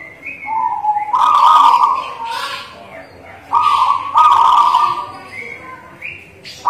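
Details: Local native zebra dove in full song, with rolling trilled coo phrases at a level pitch that rise and fade in bursts, mixed with short higher chirps from other small birds.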